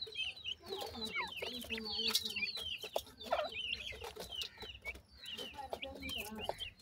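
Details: Grey francolin (teetar) chicks during feeding, a busy chorus of rapid high chirps and downslurred peeps with occasional soft clucks, a low steady hum underneath.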